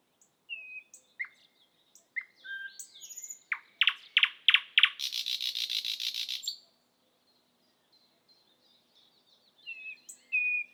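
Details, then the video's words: Thrush nightingale song recorded in Estonia: scattered high whistles and chirps, then loud knocking notes building into a dry, rapid rattle over two seconds, before sweet whistles resume. "Thrush nightingale"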